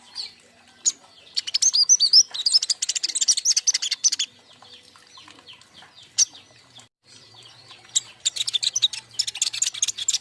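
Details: Young king konin birds in a group, recorded as a lure and master sound: long bursts of fast, high, rattling chirps and twitters, a pause with scattered notes, then another dense trill burst.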